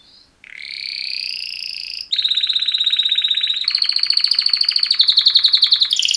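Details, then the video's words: Mating call song of two male canaries: a long, even, ringing tone, then rapid rolling trills that step up and down in pitch in separate runs, ending on a higher note. "Super Two Males Canary Mating Call Songs"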